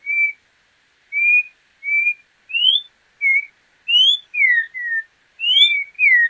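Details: Song of a troupial, known as João-pinto: a series of ten bright whistled notes. Level and rising whistles open the series, then come closer together with falling slurs near the end, against silence.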